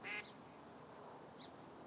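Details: Long-billed dowitcher giving one short, sharp, high call at the start, then a fainter high note about a second later, over a steady broadband rushing background.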